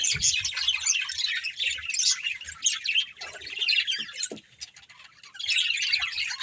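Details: Budgerigars of a pet budgie family chirping: dense, scratchy warbling chatter with squawks, overlapping high chirps from several birds, a brief quieter lull near the end before the chatter resumes.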